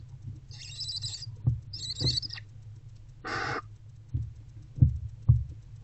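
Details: Barn owl mother with older owlet inside a nest box in the early morning, February 2024. Two buzzy high twittering bursts are followed by one harsh broad hiss, with soft low thumps of movement in the box.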